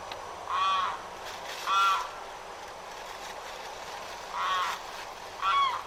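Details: Limpkin in Florida giving loud, shrieking, crying calls: four harsh, rising-and-falling wails in two pairs, each roughly half a second long and rich in overtones, with a quiet gap between the pairs.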